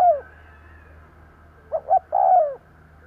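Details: Decoy spotted dove cooing to draw wild birds: the tail of one falling coo, a pause, then two soft short notes and a long descending coo, with a faint low hum behind.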